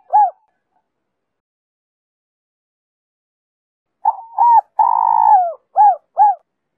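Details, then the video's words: Spotted dove singing in the Giọng Kim two-ending style, a lure song to draw wild doves; one short arched coo, a pause, then a phrase of two quick coos, a long drawn-out falling coo and two clipped arched coos, on a silent background. "Cu gáy Giọng Kim 2 hậu víp kích bổi nhanh nổi/Tiếng cu gáy kích bổi nhanh gáy/cu rừng nghe về ngay"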